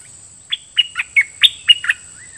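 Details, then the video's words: Decoy red-whiskered bulbul singing at wild birds in a doubled song-phrase style: a quick phrase of seven loud, clipped, bright chirps, spaced about a quarter second apart, ending in a soft rising whistle. "เปิดดอกเพลงเบิ้ล!! ร้องริกใส่นกป่า"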